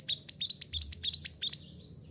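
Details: Mantenan gunung on a caged-bird training track. A quick, rhythmic run of very high, sharp chirps comes about seven per second and then fades into near silence.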